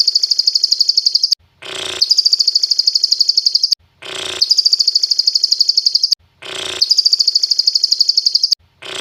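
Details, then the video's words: Lovebird said to mimic the song of a cililin (Sunda bulbul), used for mastering, recorded Monday 12 December 2022 at 22:28. A harsh broadband burst is followed by a long, even, rapid high buzzy trill, the pattern repeating about every 2.4 seconds. "mastering love bird kerasukan burung cililin"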